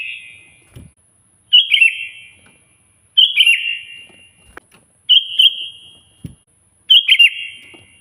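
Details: Sooty-headed bulbul singing loudly to draw a rival: four short, gurgling, whistled phrases spaced roughly every one and a half to two seconds, with faint clicks and taps between them.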